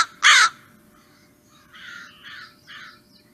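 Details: American crow giving a loud, harsh caw, followed by three softer, rougher notes about half a second apart.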